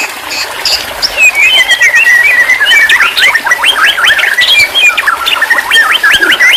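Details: White-rumped shama song played as therapy for stressed birds that stopped singing: twittering phrases building into fast, repeated rising-and-falling notes, with constant background hiss.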